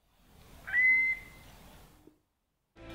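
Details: Eurasian curlew at Rainham Marshes, South Essex, one of two to four on an island, gives one clear, slightly rising whistled note under a second long over soft wind hiss, calling intermittently before taking off calling.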